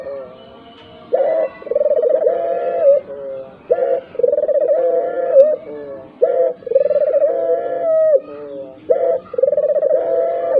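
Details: Lure recording of a tekukur puter dove, played so other doves, even silent ones, start calling: loud low coos repeated about every two seconds, each a long wavering note with a pulsed, throbbing ending.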